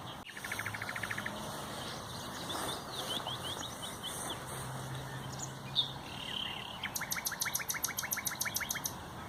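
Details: Common nightingale singing on 30 April 2021. Its song is described as loud, very melodious and long-lasting. A fast rattling series of repeated notes opens, followed by varied chirps and whistled phrases, then a sharp, rapidly repeated trill. A faint low hum runs beneath.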